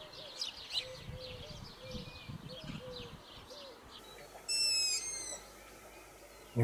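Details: Long-eared Owl family near a garden: adults calling to coax the young out of their comfort zone, with the young's hissing. Low, short, arched calls repeat about every half second, with scratchy higher sounds and a shrill burst later.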